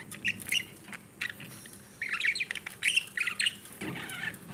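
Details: Budgerigars, a breeding pair with babies: short bursts of bright chirps and squawky chatter, grouped in clusters with brief quiet gaps, plus faint low rustling.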